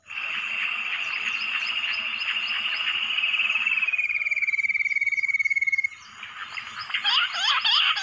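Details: Bush quail attracted by a mobile phone in the jungle: a dense wash of overlapping chirps, then a clean pulsed whistle that slides slightly lower before breaking off, followed by sharp sweeping chirps.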